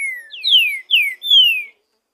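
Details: Free-living green-winged saltator singing in the woods. It gives a slurred whistled phrase of four notes that each fall in pitch. The middle notes are the loudest and the final one is long and sustained. No other sounds.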